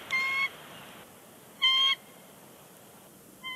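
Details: Pair of bald eagles calling from the nest at Big Bear Lake in late January 2020 before departing; steady, level piping tones spaced over a second apart, with a third note just starting at the end.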